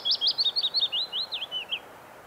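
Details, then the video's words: Willow Warbler near Hallingskarvet, Buskerud, Norway, early summer; a rapid liquid phrase of looping whistled notes that slowly descends and fades out, under two seconds, with a faint breezy background. "Song of Willow Warbler"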